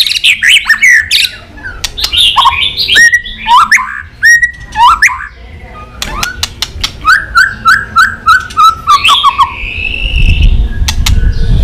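White-rumped shama pouring out a rich, fast-changing song of clear whistles, falling slurs, sharp clicks and harsh chatters; a low rumble rises near the end.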